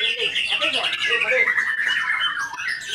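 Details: White-rumped shama in full song, rapid twittering notes running together into a busy warble with a long sliding whistle in the middle, no pauses.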